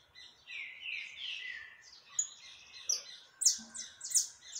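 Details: Saffron finch singing heavily, 20 October 2021: sweeping descending whistled notes giving way to sharp high chirps in quick bursts, amid other birds singing.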